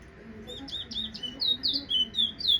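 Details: Guyanese Towa Towa finch whistling: a run of bright, high whistled notes, sliding and slurred, delivered in quick succession and growing louder toward the end, over a faint low background hum.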